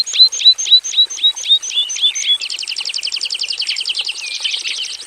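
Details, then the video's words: Javan bush lark kept in a simple aviary, singing spaced high slurred whistles that run into a dense, fast jumble of buzzy trilled notes for the second half; constant faint high hiss behind. "KICAU SUARA BURUNG BRANJANGAN JAVANICA GACOR FULL ISIAN"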